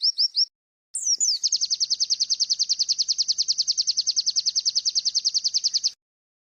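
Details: Bar-winged prinia (ciblek) song in a masteran training recording for caged white-eyes, sogon and konin: three quick high whistled 'wit' notes, a brief pause, then a long fast even trill of sharp high chips lasting about five seconds.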